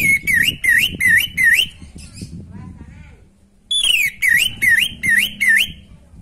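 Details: Orange-headed thrush in vigorous natural song, used to stimulate birds lacking breeding drive: two bursts of five loud whistled notes, each dipping then rising, separated by a pause with a low murmur and rumble beneath.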